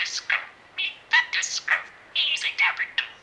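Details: Pet budgerigar that mimics a meow, woof, snore, squawk and singing: quick burst of scratchy, chattering warble notes, some whistled and some harsh, in short runs with brief gaps.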